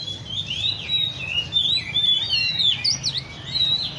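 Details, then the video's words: Caged Oriental magpie-robins at a songbird cafe in Le Thi Rieng park; bright, varied whistled phrases sliding up and down overlap continuously, several birds singing at once over a low background hum. "chích chòe than"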